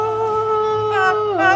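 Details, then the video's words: An Amazon parrot sings along to "I Surrender" by Welshly Arms: a long, steady, voice-like note that wavers and dips in pitch near the end, with faint music in the background. "Watch what this cute bird does when he is told he sings well!!"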